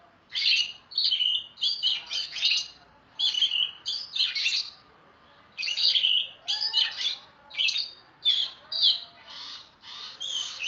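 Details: Loud song of an Oriental magpie-robin meant for tutoring songbirds: rapid, varied bursts of scratchy chatter mixed with clear whistled notes, phrases about half a second long with brief gaps.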